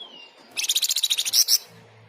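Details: Scarlet minivet's loud, constant song for tutoring and luring: a faint rising whistle leads into one quick burst of about a dozen sharp, high, evenly spaced notes ending in two brighter accents.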